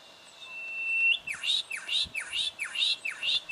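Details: Juvenile Brown goshawk recorded in Victoria, Australia, in October 2011: a thin steady whistle leads into five sharp, strident calls, each dipping then rising, repeated about every half second.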